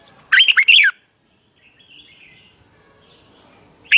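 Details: Red-whiskered bulbul song used to train birds, one loud burst of quick warbled whistles at the start, a faint distant whistle in the middle and another phrase starting at the end.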